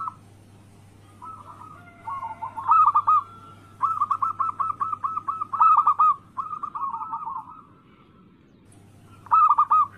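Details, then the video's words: Zebra dove, local anggungan singer, in a daily lure intended to make rivals answer: separate phrases of fast rolling coo notes at an even low pitch, a long quiet gap near the end, then another burst, over a low hum. "Masteran Pancingan harian burung perkutut Anggungan Lokal gacor suara Bikin Lawan langsung Bunyi"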